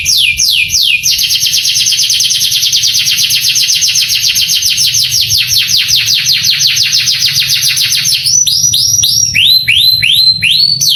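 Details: Male canary tutor song meant to excite young canaries; two descending whistles, a long fast trill lasting about seven seconds, then spaced rising-and-falling whistled notes.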